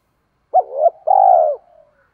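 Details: Spotted dove used as a decoy, calling to lure other doves: a short, low, hooked coo note followed by a longer, steady, throbbing coo that tails off, in a quiet setting.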